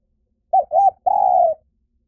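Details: Spotted dove cooing: two short mellow low coos followed by a longer drawn-out coo, clean and close with no background noise.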